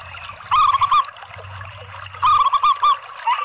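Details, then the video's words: Zebra doves of local and Bangkok strains combined as a lure song to set other doves singing: two short bursts of rapid, rolling, fluty coos, each under a second, separated by a quiet gap with a faint low hum. "kolaborasi PERKUTUT LOKAL DAN BANGKOK ¦ PANCINGAN semua PERKUTUT"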